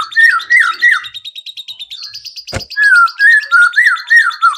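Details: White-rumped shama lure song meant to provoke other birds into singing: fluty wavering whistles, a pause filled with rapid chatter and one sharp click, then another phrase of rich, undulating whistles.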